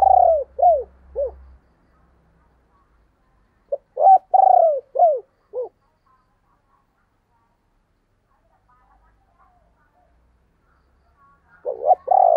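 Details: Spotted dove giving the local 'thúc' and 'gáy gọi' calling styles, recorded in 2022: bursts of short, soft, mellow coos in quick groups of three to five notes, separated by silent pauses.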